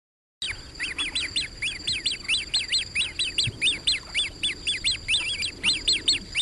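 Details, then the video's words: Great crested grebe swimming, giving a rapid series of high, thin whistled notes that rise then drop, about three per second, steady and insistent, over a quiet background. "Great Crested Grebe (Podiceps cristatus) Call, Song & Sound"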